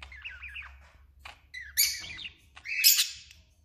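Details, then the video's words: Male budgerigar singing: a warbled, wavering chatter of mid-pitched notes, then harsher, noisy squawky bursts, with low background hum. "Canto de Periquito australiano macho"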